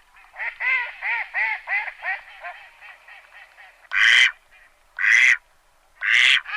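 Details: Duck on a farm quacking in a quick, tumbling series of nasal notes that fade and soften, followed by three loud, harsh, rasping quacks about a second apart.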